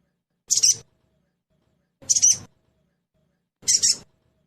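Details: Sogon trotol lure sound used to make the bird sing quickly: three short, sharp, high chirps spaced about one and a half seconds apart, each a brief buzzy burst, in otherwise silent surroundings.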